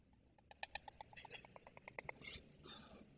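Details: White storks at a nest in Przygodzice, Poland, on 17 August 2024, as young return to the nest and meet their parents, caught by an online nest camera; a quick run of dry pulsed clicks, about fifteen in two seconds, then fainter rasping notes.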